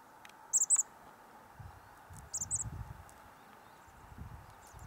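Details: Chestnut-backed chickadee on Douglas Island, Juneau, Alaska, 19 March 2020: very high, thin chips given in quick pairs, twice in a few seconds, over a low steady rumble of background noise.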